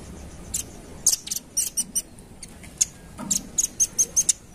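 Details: Velvet-fronted nuthatch lure call with irregular, widely spaced high chips. A short, evenly paced burst of shrill notes closes it.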